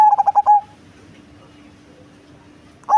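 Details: One full phrase from a heavy-bodied Cemani zebra dove known for its big, bass voice: a quick run of pulsed notes ending in a steady drawn-out coo, then near silence before the next phrase begins.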